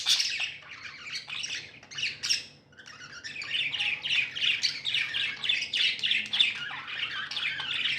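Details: Pet budgies, called happy and tame, chirp busily: an opening run of sharp squeaks, a short lull, then steady rapid buzzy chattering notes about three to four per second.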